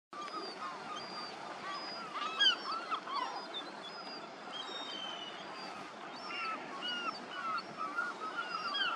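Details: Juvenile lesser black-backed gull begging and being fed. Thin, high, whistled begging notes repeat in irregular bursts among many overlapping calls over a steady outdoor rumble.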